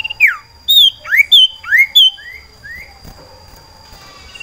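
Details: Caged male cipoh sirtu iora in breeding condition, calling for a female to mate: loud clear whistled notes, mostly rising upslurs and a few downslurred ones, given in a quick uneven series before trailing off into quieter background.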